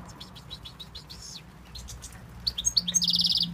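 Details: European goldfinch from Tunisia, a male, in song: quick liquid twittering notes build into a loud, fast buzzy trill at the end, with steady low hum beneath.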